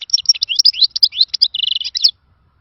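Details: European goldfinch delivering a khalawi-style song, called a lost song from the good old days: quick, varied twittering that ends in a short, even, rattling trill before falling silent.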